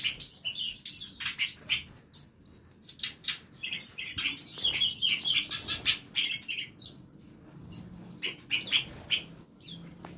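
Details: Several songbirds in a small home aviary for tutoring other birds keep up a lively, irregular chatter of high chirps and twittering phrases from overlapping callers.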